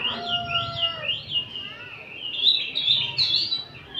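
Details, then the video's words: Oriental magpie-robins singing as a group in the afternoon, a kacer ombyokan chorus meant for training. Looping rising-and-falling whistles give way to bright, clustered chirping notes, with several birds overlapping. "Kicauan kacer ombyokan bahan disore hari dijamin kacer anda buka ekor!!!"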